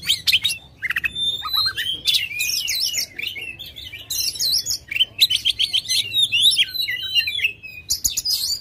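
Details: An Oriental magpie-robin in aggressive, tail-spreading display sings clear rising whistles mixed with harsh buzzy notes and quick chatters, delivered in tight clusters separated by brief pauses.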